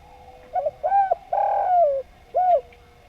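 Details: Javanese spotted dove singing actively in a harmonious style: a short double coo, then a rounded coo and a long, drawn-out, downward-sliding coo, closed by one arched coo, all low and mellow over a faint steady hum.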